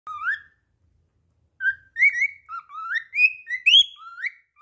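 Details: Pet cockatiel singing even after slipping: a rising whistle, a pause, then a run of short clear whistled notes, mostly rising slurs, with bright overtones in a quiet room.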